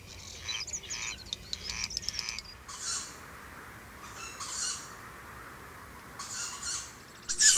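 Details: Great Snipe at its lek in central Russia, among birds heard at evening and night: fast clicking and rattling bursts, then hissing, whirring phrases about every one to two seconds, high-pitched over a quiet background.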